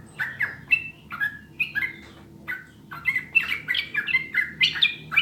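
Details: Song of a sooty-headed bulbul, played to coax caged birds into singing: clear, fluty whistled notes in short two- and three-note groups. The phrases grow busier and overlap toward the end.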